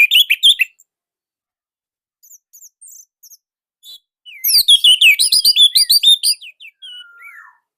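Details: Loud, tight song of an Indonesian orange-headed thrush. Quick chirps, then quiet scattered notes, then a dense burst of rapid warbled whistles and trills ending in a descending whistle.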